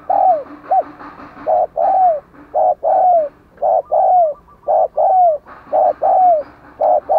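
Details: Decoy spotted dove of the "Giọng Đồng Còi" voice style, cooing hard to draw wild doves: a steady run of low, hollow coos, short notes paired with longer downslurred ones, almost without pause.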